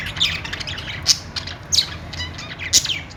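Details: Budgerigars chattering contentedly, with rapid raspy chirps and three sharper high squeaks standing out against a constant low hum.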